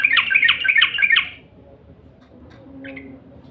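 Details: Yellow-vented bulbul call used as a lure to make bulbuls sing: a brisk run of rough chirping notes lasting just over a second, then quiet with one faint note.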